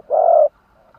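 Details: Spotted dove (chim cu gáy) kept as a decoy bird to lure wild doves: one low, smooth, steady coo lasting about a third of a second, followed by near silence.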